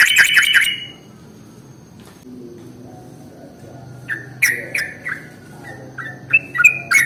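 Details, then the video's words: Lure sound to attract sooty-headed bulbuls: an opening burst of loud rattling chatter, a quiet pause, then a scattered series of short chirps and whistled notes at varying pitches. "SUARA pancingan paling AMPUH untuk Trucuk jenis apapun"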